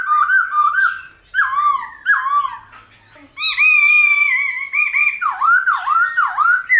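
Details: Wild-style laughingthrush song ('old forest' voice) meant to train young and wild-caught birds: loud, ringing whistled phrases broken by short pauses, one long sustained note, then swooping down-and-up whistles.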